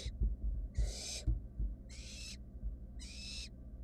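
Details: Young wild barn owls in a monitored nest box seeking the vanished mouse: three full rasping hisses, each about half a second and a second apart, with dull knocks and shuffling underneath.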